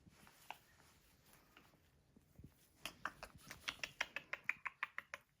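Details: Pet blue-and-gold macaw indoors, said to fake cough, say ow and laugh; here a quick run of short, raspy, laugh-like bursts, about three a second, growing louder toward the end in a small quiet room.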